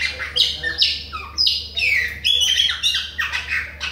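Chopi blackbird singing a loud, jumbled run of bright whistles and harsh squawky notes, delivered in quick bursts roughly every half second, with a faint steady hum beneath.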